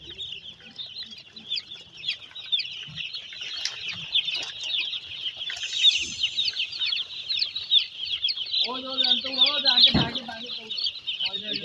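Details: Broiler chicks in brooding on a farm at Nagoriakandi, Narsingdi: a dense, continuous chorus of high, rapid peeping chirps from many chicks. Near the end comes a short run of lower, stepped calls and one dull thump.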